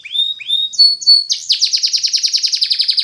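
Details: Training song of a Spanish Timbrado canary: two rising swept whistles and short high tones, then a loud, evenly repeated rapid trill of pulsed notes continuing to the end.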